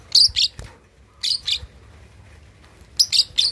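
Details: Lovebird at 2.5 months old practising chatter: paired piercing chirps in three groups about a second apart, with a soft knock early on.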